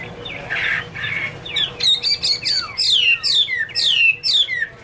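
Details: Chinese hwamei singing: a few harsh, buzzy notes open into loud, clear whistled phrases, each a high note sliding steeply downward, delivered in a rapid run of about two per second; faint low hum beneath.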